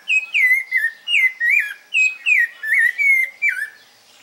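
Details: Rufous-bellied thrush, said to be often around, singing: a steady run of loud, clear whistled notes, each slurring down, about eight phrases in four seconds, fairly even in pitch, with no other clear sounds.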